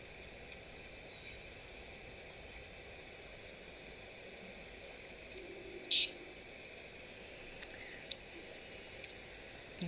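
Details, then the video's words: At a waterhole in the Sabi Sands on 15 April 2025, a three-banded plover gives a few sharp, high piping notes, typical of its flight over water, over a ringing insect chorus and faint speech. "So it's a three-banded plover vocalizing right now."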